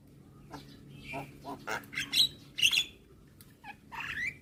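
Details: Javan myna song on a morning training recording for young birds: scattered nasal and harsh notes building to loud buzzy squawks with bright whistled tones, over a low background hum.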